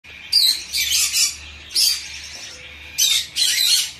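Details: A tame, hand-fed young Bourke's parrot, September 2024, Fukuoka, Japan, gives bursts of high, scratchy chirping chatter, four quick runs in about four seconds with brief pauses between.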